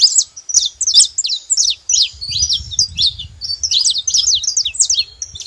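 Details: Saffron finch singing free in the wild, delivering brisk groups of high chirps and down-slurred notes in fast succession, with some low background rumble midway.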